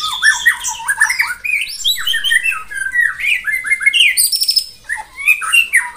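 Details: Morning song of a white-rumped shama meant to rouse rivals into singing: a dense, unbroken stream of varied whistles, slurred sweeps and harsh squawky notes jumping between low and very high pitches.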